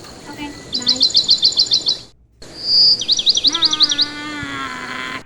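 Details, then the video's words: Pet parakeet tweeting while its owner talks to it: two quick runs of high, bright chirps, eight or nine notes each, with the person's voice murmuring faintly underneath. "the bird tweets"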